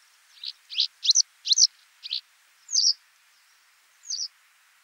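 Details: Western yellow wagtail in France with a quick run of five sharp, high chirps in about two seconds, followed by two separate thin slurred notes, over a soft hissing background.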